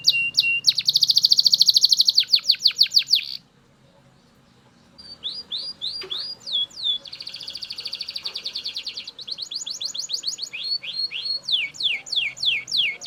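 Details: A Belgian canary sings loudly, a rapid buzzy trill and falling sweeps, breaks off into about a second and a half of silence, then resumes with rolling trills and repeated downward slurs; faint low hum.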